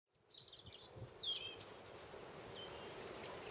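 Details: A common linnet in a garden gives a brief burst of thin, high twittering notes, with quick chirps and a short falling trill, over a steady background hiss.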